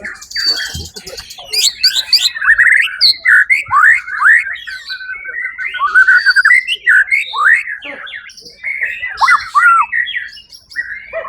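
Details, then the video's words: First-placed white-rumped shama (murai batu) at the Suara Agung songbird event on 1 October 2023, delivering clear swooping whistles and short slurred phrases separated by brief gaps, some notes rising steeply. "murai batu predator juara 1 di ivent Suara Agung 1 okt 2023"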